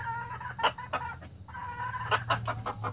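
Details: Young red junglefowl, recorded in 2019, giving two drawn-out, nasal, harmonic crow-like notes, each over a second long and split by a short pause. Sharp clicks are scattered through, over a steady low hum.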